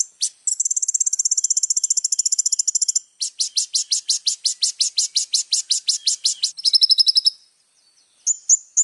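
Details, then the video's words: Little spiderhunter song kept as a tutor recording for other songbirds: a long very high rapid ticking rattle, then a slower run of sharp repeated notes, a short buzzy trill and a few thin high chips after a pause. "SUARA BURUNG KOLIBRI NINJA GACOR FULL ISIAN MEWAH AMPUH BUAT MASTERAN KONIN BAHAN"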